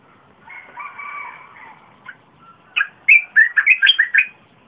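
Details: Red-whiskered bulbul, 30 April 2021, a pleasant, full-voiced song used as a lure for wild birds and as a model for young birds. Soft drawn-out tones come first, then a burst of about eight loud, bubbly whistled notes.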